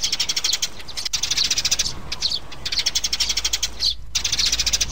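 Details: Mother and chick sparrows in a recording used to lure birds into traps: rapid, high chirps run together in dense bursts about a second long, separated by short gaps, with steady background hiss.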